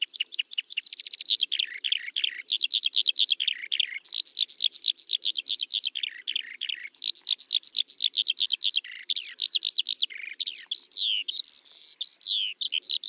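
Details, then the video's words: Long bout of Eurasian skylark song: rapid trilled bursts and bubbling chirps strung together endlessly, ending in a few longer whistled slides. "Kiurun / Leivon laulua | Skylark Singing"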